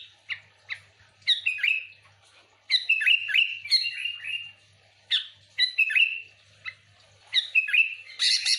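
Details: Sooty-headed bulbul in lively, genuine song used as a lure for other bulbuls: short bursts of bubbly, slurred whistled notes that drop in pitch, grouped in phrases with brief pauses, ending in a harsher chattering burst.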